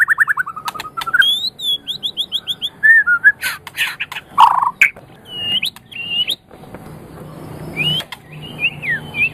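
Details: White-rumped shama from Medan, a champion-quality singer used to stimulate other birds to sing; varied song of descending whistled trills, rapid high chirp series, slurred notes and sharp clicks, with short gaps and a faint background hum.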